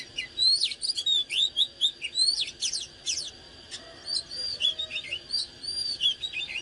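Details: Fired-up oriental magpie-robin (căng lửa) singing while dancing: quick rising and falling whistled notes repeated in rapid series, scratchy interjections, then softer sweet warbles.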